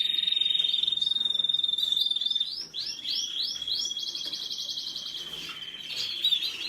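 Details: Canary song: a long steady whistled tone held for over two seconds, then a run of rapid rising swept notes, followed by a fast buzzy trill and a sustained whistle near the end.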